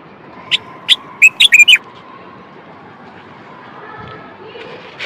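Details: Common bulbul, a Moroccan male, singing to stimulate other males and prepare females for mating: a few separate short whistles, then a quick run of four bright fluty notes, followed by quiet background.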